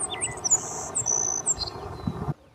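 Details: Savannah Sparrow in May in the United States, in spring when males perch up in trees and bushes calling, giving thin, very high, buzzy notes and a few short chirps over about two seconds, with a steady low rumble behind.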